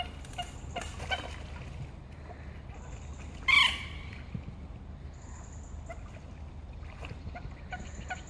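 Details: On Heslington West lakes, a pair of common moorhens fight seriously; a single brief, harsh, explosive call stands out midway, amid quiet clicks and a steady low hum.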